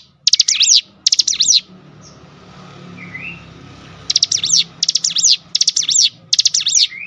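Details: Cinereous tit bait song, meant to rouse other birds into song: two quick bursts of piercing high notes, a quiet stretch with faint hum and a soft chirp, then four rapid phrases in a row.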